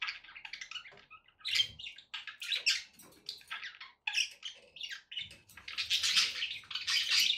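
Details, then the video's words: Pet budgies warble almost without pause, a grating stream of chirps, clicks and buzzy notes that swells into a louder, denser chatter over the final seconds. "budgie sounds to encourage your parrot to eat and sing"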